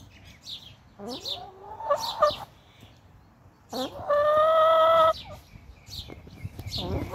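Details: Domestic chickens fussing and complaining at bedtime: scattered rising, squeaky notes give way to one long, steady, nasal drawn-out complaint lasting about a second, followed by softer clucks and rustling.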